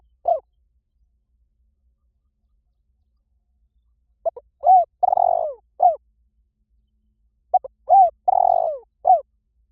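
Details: Vietnamese spotted dove used as a lure, cooing in phrases several seconds apart. Each phrase has short clipped notes, an arched coo, a long rolling purr and a closing downslurred coo. Silence between phrases.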